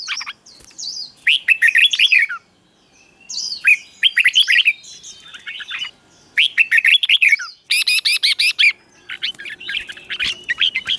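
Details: Red-whiskered bulbul song used to teach young birds: repeated bursts of rapid chirpy, slightly buzzy warbled phrases about every two seconds, separated by short quiet gaps.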